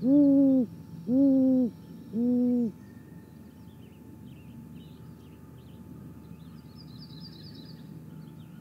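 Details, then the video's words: Female great grey owl at her nest, 6:19 in the morning on 28 May 2017, picked up by a nest camera: three deep, even hoots about a second apart, each slightly rising then level, followed by quiet with faint high bird chirps. "Great Gray Owl Nest Female treats us to some great vocals"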